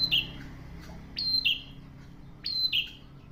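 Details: Lively prinia song of repeated two-note phrases, a bright high whistle stepping down to a buzzier lower note. Three phrases in quick succession, roughly one per second and a quarter.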